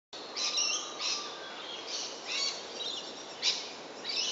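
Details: Grey shrike-thrush recorded 24 July 2011, giving short, bright chirping notes in quick bursts, roughly one every half second to second, over a faint steady hiss.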